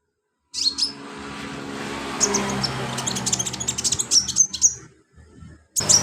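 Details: Sunbird in full song, recorded as filler material for training birds: rapid, very high, thin chirps and ticks over steady broad background noise, pausing briefly before another burst.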